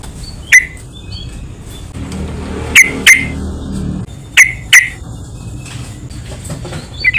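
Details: Yellow-vented bulbul lure calls to get other bulbuls to respond: sharp isolated chips and close pairs. Soft whistles are heard between them, over a low background rumble.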